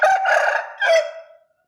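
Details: Bangkok rooster giving a short crow: a single loud, hoarse call about a second and a half long, rising in two bursts, then trailing off in a fading drawn-out tail, with no other sounds.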